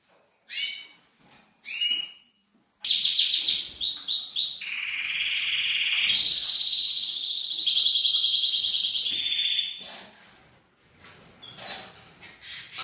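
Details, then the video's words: Male canary singing for females to prompt mating: a varied song opening with separate chirped notes, then a run of rapid trills and rolls that shift between several pitches, before breaking into scattered short calls. "أقوى تغريد كناري يحفز الذكر و يهيج الانثي على التزاوج🔥 mâle de canri chantent pour les femelle"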